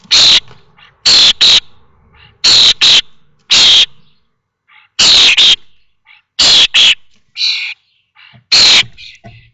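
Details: Common starling nestlings on fledging day at Théding, 19 May 2024, all five leaving the nest that day; repeated loud harsh screeches, often in quick doubles, interspersed with fainter buzzy calls.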